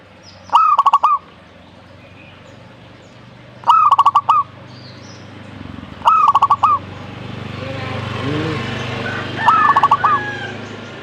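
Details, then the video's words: Zebra dove singing four phrases roughly every three seconds, each a quick upswept note followed by a rapid string of short pulsed coos, over steady low background rumble that swells toward the end. "burung perkutut"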